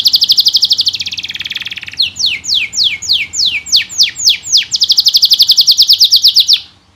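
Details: Caged canary in vigorous full song, used as a tutor to prompt other canaries to sing. The song has a fast buzzy trill, then a run of repeated downward-sweeping whistled notes, then another rapid even trill. No other sounds are heard.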